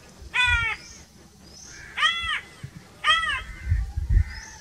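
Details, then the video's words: Crow sounds from a natural setting: three drawn-out, nasal, arched calls with clear harmonics, spaced about a second apart, with low rumbling noise and faint distant bird calls. "1 hour crow crowing sounds - one hour crow nonstop crowing voice - natural crow bird sounds"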